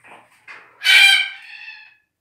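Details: Calyptorhynchus banksii banksii (magnificus), the red-tailed black cockatoo, utters two soft scratchy notes before a loud, drawn-out, grating screech that trails off raspily over about a second.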